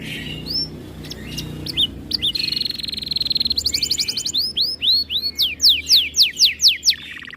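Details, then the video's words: Canary in breeding condition, singing aggressively on hearing other birds: a varied song of trills and rapid buzzy rattles, then a run of loud arched whistled notes repeated about twice a second, high-pitched throughout. "Kenari Gacor Mental Juara Birahi Tinggi Makin Galak Saat Dengar Burung Lain Bunyi"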